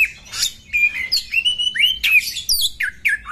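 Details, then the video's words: Female Oriental magpie-robin during a fight, giving clear whistled notes and short slurred phrases near two to three kilohertz, some sweeping sharply up or down, with bright high chirps in quick bursts and brief pauses between them. "KACER BETINA TARUNG"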